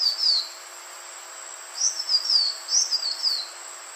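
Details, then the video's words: A green iora call used as lure playback: a brief falling whistle, then two rapid phrases of four or five high, slurred notes stepping downward, over a steady background hiss. "SUARA BURUNG CIPOH JANTUNG UNTUK PIKAT DURASI PANJANG"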